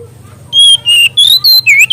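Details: Mangrove whistler song, used as a master recording for training young birds: a run of five loud, clear whistled notes, each held briefly, the pitch shifting up and down between notes.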